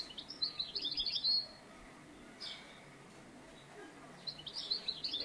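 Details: European goldfinch recorded during trapping with a clap-net trap; two bursts of bright, high twittering song, each about a second long, separated by a quiet gap with a faint chirp in between, over low background hiss.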